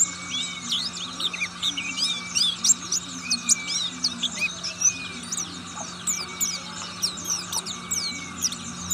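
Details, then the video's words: Oriental white-eye of the buxtoni form, a fruit-eating bird, singing in the rapid ngriwik style: dense high, thin chirps and quick rising and falling twitters in a steady run, over a low steady hum. "pleci buxtomi ngriwik"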